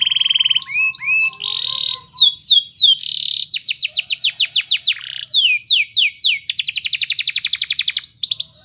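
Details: Canary in full song, used as a master to make others sing along: a buzzy roll, rising swoops, bursts of fast descending notes, rattling buzzes and a long high trill, varied phrases tumbling one after another.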